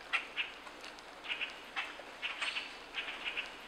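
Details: Juvenile Common Grackle in Quebec giving a series of short, harsh, scratchy chips, about a dozen in under four seconds, irregularly spaced with some paired notes, against a quiet background.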